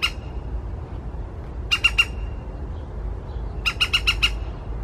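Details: Morning woodpecker calling: a quick group of three hard, clipped notes, a pause of nearly two seconds, then a longer run of five sharp notes, with low-pitched rumble underneath.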